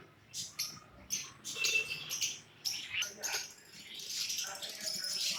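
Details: Budgerigars at a bird shop, kept alongside lovebirds, cockatiels and doves, chatter in quick, sharp chirps and squeaky warbles, with other caged birds calling too.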